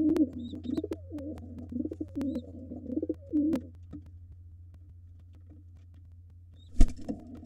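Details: During a nest fight between wild pigeons, a gray intruder against the white father guarding two nestlings, deep rolling coos come in quick runs for about three seconds, then quiet scratching and a loud thump of wings or bodies.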